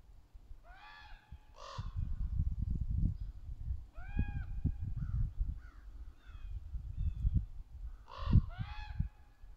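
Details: Ravens, young and adult, extremely vocal in the trees: scattered harsh caws and shorter croaking notes, some paired, separated by gaps filled with low rumbling noise.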